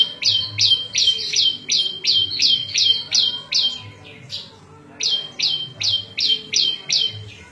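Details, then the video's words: Varied song of the prenjak lumut prinia, used as a model for cage birds and to lure wild ones. It is a fast run of high downslurred chirps, a brief pause midway, then the same quick series resumes. "Suara Variasi prenjak lumut cocok buat masteran&pikat burung liar"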